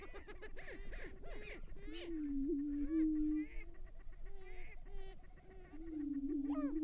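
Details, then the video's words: Lekking greater prairie-chickens in restored northwest Minnesota prairie, April 2019, males facing off at dawn: rhythmic honking cackles open the clip, then a sustained low moaning tone runs beneath scattered rising whoops. "Greater Prairie Chicken Lek"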